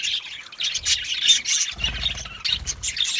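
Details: Aviary budgies give loud scratchy chirps and squawky chatter in short bursts, with low rumbling noise underneath.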